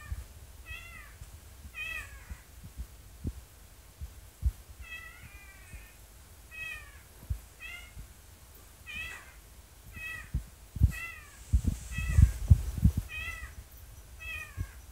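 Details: A Crested Drongo imitating a cat gives short, nasal, downslurred mewing calls about once a second, with low thumps and rustling beneath.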